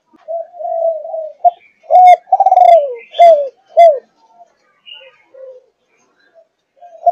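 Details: Spotted dove, Malaysian line, 5.5 months old, starts with low murmuring notes, then gives thúc gù coos: a short note, a long quavering descending coo and two sharp hooked coos.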